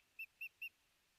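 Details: At a Hellgate Canyon nest in Missoula, Montana, a female osprey calls out to her lost mate on July 9, 2020, picked up by a nest camera. Three sharp whistled notes repeat evenly and quickly, then quiet follows.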